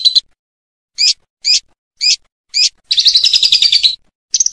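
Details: Lovebird sound for masteran of other birds, ngekek style: sharp single notes roughly every half second, then a one-second rapid rattling trill and a final brief burst.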